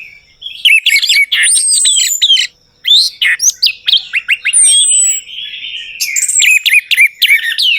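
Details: Whistled song of an orange-headed thrush, used to coax a quiet bird into singing. Bursts of rapid varied notes, chirps and slurred whistles come in phrases separated by short gaps, with a long descending whistle near the middle.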